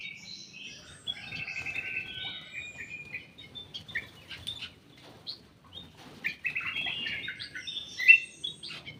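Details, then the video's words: Captive ruby-throated bulbul in a private aviary, giving bright whistled phrases mixed with a thin rapid chatter over soft low rumbling background noise, with a sharper burst of notes near the end. "BURUNG KUTILANG EMAS DI DALAM AVIARY PRIBADI"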